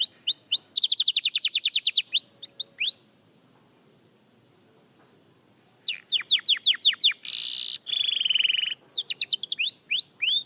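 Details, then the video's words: Practising young canary delivers a rapid rattling trill and rising whistles, a thin sustained tone during a pause, then renewed bursts of quick sweeps and a harsh buzzy passage before more fast whistled notes. "Young Canary Singing Practice – Surprisingly Good for a Beginner!"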